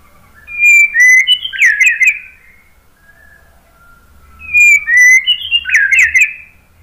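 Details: Two matching white-rumped shama phrases, used to get other birds to answer, each a quick series of clear whistles ending in twisting notes, separated by near silence.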